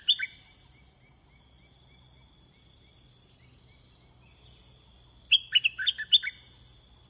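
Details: Red-whiskered bulbul in a decoy-trapping setting. One sharp chirp opens, then a long quiet stretch with a faint thin whistle. Near the end comes a brisk run of six or seven bubbly whistled notes over a constant high electronic whine.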